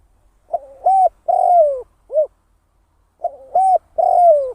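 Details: Spotted dove used as a decoy for trapping, calling in the 'kharom' style. Two close, loud phrases of a short lead-in note, a steady coo and a long descending coo, the first closed by a short rounded hoot.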